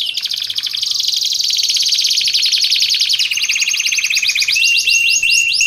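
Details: Canary singing for training and luring use: a continuous fast trill that drops stepwise in pitch, finishing in a flat sustained whistled note, loud and unbroken.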